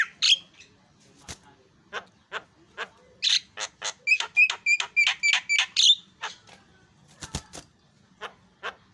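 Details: Javan myna (jalak kebo) with harsh chattering notes, then a fast run of buzzy rasping syllables, followed by scattered clicks and squawks.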